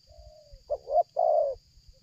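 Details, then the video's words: Spotted dove kept for luring, cooing in the 'selang gagap' manner: a soft drawn-out lead note, a broken two-part note, then one long full coo, low rumbling handling noise and a high insect tone behind. "tekukur ini kuat nguku dari jauh mendekat nguku takberhenti,penguku selang gagap"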